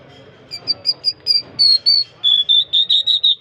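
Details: Singing Jal of the Irani or Mashhadi type, delivering evenly spaced, pure, high whistled notes in two short series, the second slightly lower and steadier, against a quiet background.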